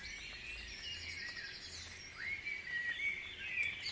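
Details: Dawn birdsong at Guisborough: a fast, high buzzy trill runs through the first half, then a rising whistle leads into a stretch of clear, louder chirps and twitters from several singers.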